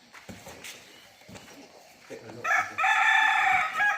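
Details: A rooster crows at a business premises in West Sumatra on a bright morning before Eid 2024, with birdsong around. After a quiet stretch with faint background noise, it gives one loud, harsh crow lasting about a second and a half.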